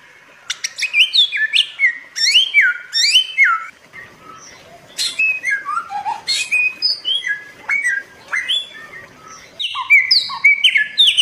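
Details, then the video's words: Bare-throated whistler (Pachycephala nudigula), endemic to Flores, song used as a lure and tutor recording: a rich, fast run of clear slurred whistles sweeping up and down, chained almost without pause, with a short break midway. "suara pancingan burung samyong"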